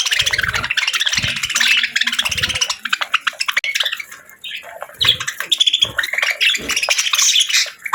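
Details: Budgerigars in dense, continuous warbling chatter, buzzy and twittering, with sharper high chirps toward the end and occasional low knocking sounds beneath.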